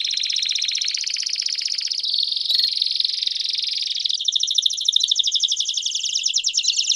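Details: Canary delivering 'campainha' bell-type song, used to train young canaries to sing. A long, unbroken stream of rapid rolled trills shifts pitch in steps, with a faint high tone above and one brief click.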